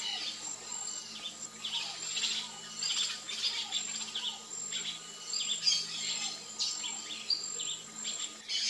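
A Variable oriole gives busy bursts of quick, high chirps and twittering notes in phrases every second or two, over a steady thin high hum of insects.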